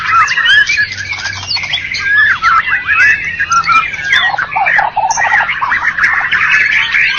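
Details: Contest-winning white-rumped shama of Medan and Java stock in competition: loud, rich warbling with sweeping whistled slides, quick chattering notes and abrupt squawky bursts, continuous over the whole stretch.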